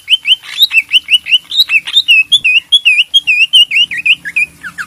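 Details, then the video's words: Leafbird master song used to coax a silent bird into singing: continuous, energetic string of loud, looping whistled notes, about one per quarter second, varied and slightly warbling. "masteran cak ijo gacor buat pancingan macet bunyi"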